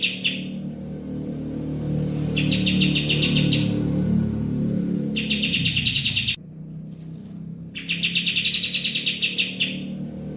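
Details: Bird chirping used to tutor and lure songbirds: three bursts of fast, bright, rattling chirps, each one to two seconds long, separated by pauses. A heavy low droning rumble underlies the first half.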